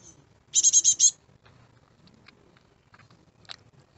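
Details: Garden-fledged great tit chicks: a loud burst of five quick, harsh, high notes, followed by a few faint distant chirps and a single sharp tick.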